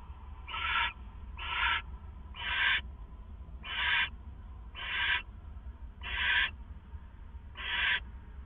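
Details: Owl at its nest site before dawn, April 27, 2014, 4:49 AM: seven harsh, hissing screeches, each under a second long, repeated roughly every second over a low steady background rumble.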